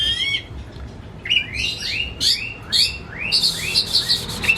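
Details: Household Oriental magpie-robin singing to lure a quiet bird into song: a rapid run of repeated upslurred whistles, about two per second, ending in harsh buzzy notes.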